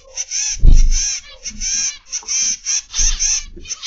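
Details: Zebra finches kept in an aviary give repeated short, nasal, honking beeps, with low thumps and rumbling in the background.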